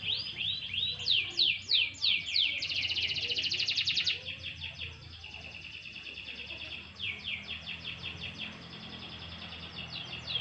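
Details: Canary out in gentle sunshine singing a string of falling slurred notes, a dense buzzy trill, then softer repeated high phrases and sweeps, with light low-frequency hum behind.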